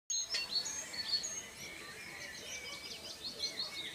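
Red-vented bulbul chicks give thin, high squeaky chirps, first scattered, then a rapid jittery run of short notes. A faint steady background hiss is heard.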